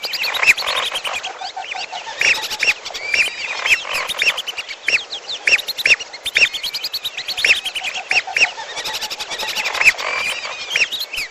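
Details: Lesser whistling duck lure blended with piolo bird calls: continuous overlapping whistled notes, rising-then-falling, arriving in irregular clusters about every half second over constant hiss.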